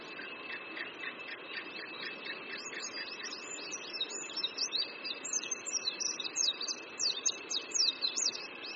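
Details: Oriental white-eye above a creek in Qingdao, Shandong, China, in spring: soft lower chirps at first, then a busy run of high, thin, twisting twittered notes growing louder toward the end.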